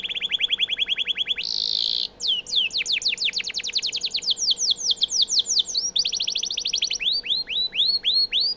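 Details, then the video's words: Canary song used as a model for training White-rumped shamas: a rapid high trill, a buzzy held note, then long runs of quick descending sweeps and rising whistled upslurs, loud and clear. "Suara burung kenari cocok untuk masteran murai batu"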